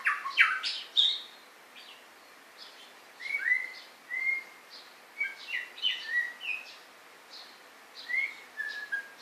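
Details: Song of a white-rumped shama: loud, varied whistled phrases with bright upslurred and downslurred notes, given in bursts separated by short pauses, over a faint repeated chirping in the background.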